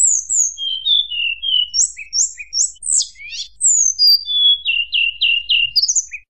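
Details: Lively fluting song of a hill blue flycatcher that provokes rival birds: quick falling whistles, paired chirps repeated three times, steep sweeps, then a string of repeated mid-pitched notes.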